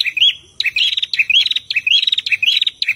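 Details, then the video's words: Prinia song from a male and female, intended as training material for kept birds; loud buzzy rising phrases with clipped, ticking notes, repeated about every half second after a short pause at the start. "Masteran Prenjak Betina dan Jantan Gacor"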